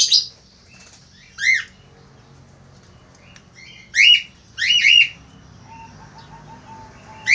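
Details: Eager male Australian finch: sparse harsh, squawky downslurred notes, a pair near the middle, with a faint thin ticking series in the background and long quiet gaps.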